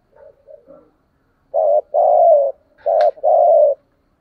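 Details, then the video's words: Spotted dove, a lure bird, cooing at dawn, played to train pet birds to call; a few quiet low notes, then two loud paired phrases of a short hollow coo followed by a longer drawn coo. "Tiếng Chim Cu Mồi gáy gọi và gù lúc hừng sáng"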